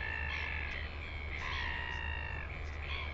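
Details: Northern royal albatross recorded in New Zealand on 9 September 2020. Long, drawn-out harmonic calls swell and fade, sounding moaning and braying, with a steady low wind rumble behind them.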